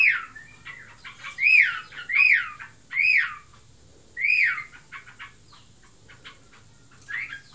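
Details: Yellow-vented bulbul, a kept bird described as in breeding condition and chattering hard: clear arched whistled notes, each rising then falling, given in a loose series of about five phrases with short quiet gaps and a steady faint hiss behind.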